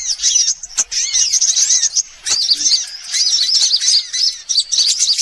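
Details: Lure for attracting birds, sunbirds of many kinds: dense sharp chirps and squeaky high notes in overlapping bursts, with curved lower notes and occasional clicks.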